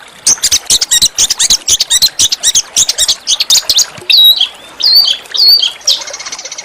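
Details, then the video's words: Small songbird used as a master song to provoke an oriental magpie-robin to sing, set against a natural backdrop and noted for rough, harsh bursts: a dense run of sharp chattering clicks, then a few slurred high whistles and a closing buzzy trill. "masteran burung kecil agar murai batu gacor"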